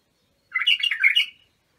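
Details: Iraqi bulbul, locally called abu shuaib, singing, used to train young bulbuls: one short, liquid warbled phrase of quick chirping notes lasting under a second, in a quiet background.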